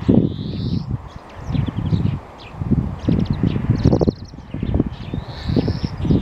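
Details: Greenfinch song: drawn buzzy wheezing notes at the start and end, a quick rattling trill midway, and brief twittering, all over loud low-pitched background rumble.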